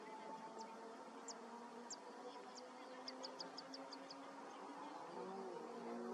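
Little ringed plover giving thin, very high, down-slurred piping notes, first slow and spaced, then quickening into a rapid run, over a steady background hum.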